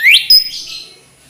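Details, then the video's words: A brief flycatcher phrase: one sharp, upslurred whistle followed by a higher ringing note that trails off into silence. "Kicau Merdu TLedekan Gunung"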